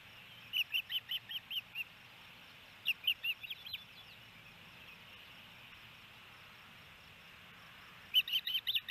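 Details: Osprey at a nest-cam site in Hellgate Canyon, Missoula, Montana, 28 May 2018, during feeding of the female by the male: repeated bursts of high, sharp chirps, six to eight notes each, separated by quiet gaps with steady hiss.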